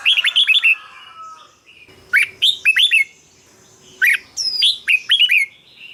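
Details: Song of a red-whiskered bulbul used as a decoy or played to excite caged birds; three phrases of rapid, bright whistled notes that rise and fall, with a soft background twitter in the gaps.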